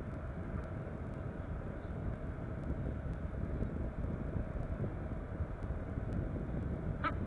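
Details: A steady low engine rumble, like a passing aircraft or vehicle, with faint clicks and no animal voices.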